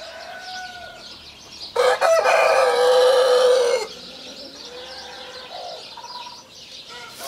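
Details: Brahma rooster on a chicken farm, a large breed; one loud, harsh, sustained crow of about two seconds, flanked by softer calls from other chickens and background farm sounds.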